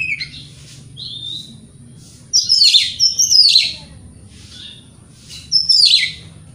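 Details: White-rumped shama song for provoking rivals: soft whistles followed by loud warbled, buzzy phrases repeated in bursts, with quiet gaps between.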